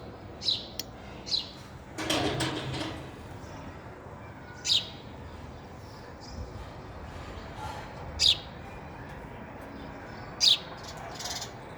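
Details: Feeding sparrow at a feeder: a series of short high chirps, two quick ones early, then single sharp notes spaced a few seconds apart, with a brief noisy rustle near the start.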